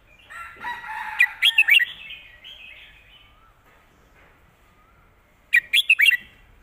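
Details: Red-whiskered bulbul in 'mae bot' (master song) style: a soft, muffled warble, then a crisp four-note whistled phrase, a pause of about four seconds, and the same rollicking four-note phrase again.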